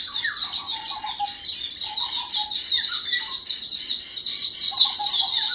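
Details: A group of Yellow-billed babblers joins in a shared reaction to an unidentified threat. Harsh, busy high chatter runs without pause, and brief lower nasal notes recur irregularly beneath it.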